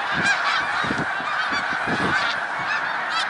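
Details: Snow geese at Middle Creek Wildlife Refuge, Pennsylvania, March 2021: a close, dense chorus of shrill overlapping honks, with clearer individual yelps standing out against the flock noise.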